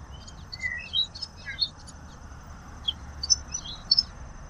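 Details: Song of the common waxbill, Estrilda astrild: a busy run of sharp, high twittering chirps with a few lower sliding whistles, delivered in irregular clusters about one and a half per second, with a constant faint high tone behind.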